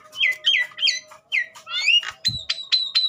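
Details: Agitated Javan myna, sung to get other mynas singing: repeated squawky notes sliding downward, then a run of short sharp whistled notes, with a steady low hum behind.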